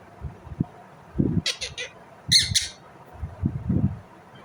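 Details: Indian ringneck parrot giving two short, harsh, broadband screeching bursts a second apart, against low thumping background noise.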